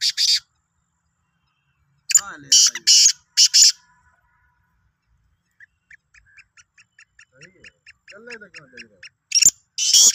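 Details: Black francolin, Sindhi kala teetar, 16 March 2023: a short harsh burst, then a four-note rasping phrase, a run of faint ticking chirps with a murmuring voice, and a final grating phrase.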